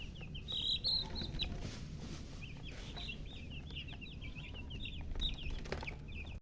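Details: Young chickens peeping in a flock, one louder chick giving clear rising-falling chirps among many overlapping thin high peeps, a few thumps and steady low background noise.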